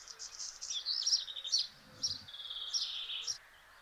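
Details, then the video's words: A male black redstart singing in Simpelveld, the Netherlands, on 12 May 2022: a high, scratchy phrase of brief crackling notes, then a thin, drawn-out grating note, with faint murmuring in the background. "Zwarte roodstaart Phoenicurus ochruros, zingend mannetje"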